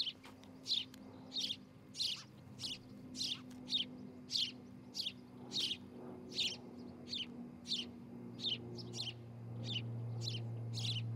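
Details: Osprey calling at a nest in Charlo, Montana, nest camera, July morning: a long series of high, sharp whistled chirps roughly every half second over a low steady hum that swells near the end.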